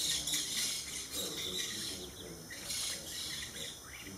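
Maroon-bellied Parakeets give harsh, scratchy squawks in short bursts about every second, over a steady high insect drone.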